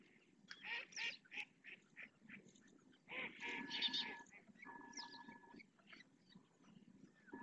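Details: Adult purple swamphens calling their three young to come for food in the Riet Vell lagoon, Ebro Delta; rough nasal squawks repeated irregularly, then a longer harsh burst mixed with steady flat whistled tones.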